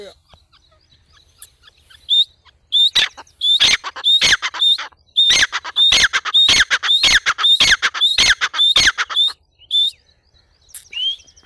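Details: Black francolin calling, a series of loud harsh notes each ending in a rising whistled stroke, repeated rapidly for about seven seconds, then a pause and a single final rising note.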